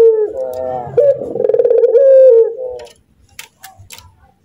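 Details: A pet Barbary dove gives a short laughing bout of stuttered notes running into a smooth falling coo, then quiet with faint clicks.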